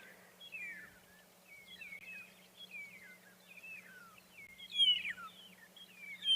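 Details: A flock of magpie shrikes (Urolestes melanoleucus) at sunrise on safari, many calling together around the vehicle in very high, liquid whistled slurs that overlap, over a low steady engine hum; they live in flocks, so hearing many together is normal.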